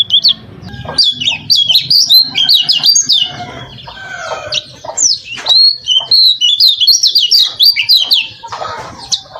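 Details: Varied training song of a lemon-bellied white-eye, mixing its own notes with other sounds: a busy, irregular jumble of high twittering whistles, sharp chips and scratchy squawk-like notes, with brief pauses between bursts.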